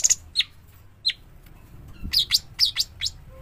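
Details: Young sooty-headed bulbul, known locally as cucak cungkok, giving sharp, high chirps that slur downward. Scattered single notes come first, then a quicker cluster of bright tweets near the end over a quiet low hum.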